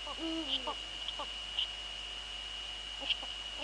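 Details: Eurasian eagle-owls in the Netherlands on 2 February 2013 at 19:15 in the evening, a female at the nest with the male nearby: one low, mellow hoot with rich overtones, then scattered soft clicks over a steady background hum.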